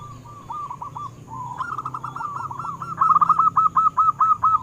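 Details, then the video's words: Zebra dove song used to encourage caged doves to sing: gentle cooing first, then rapid bouncing coo notes that grow louder and more clipped toward the end, in an even, quick rhythm. "Perkutut Lokal BIKIN GEGER - Suaranya mengundang BUNYI"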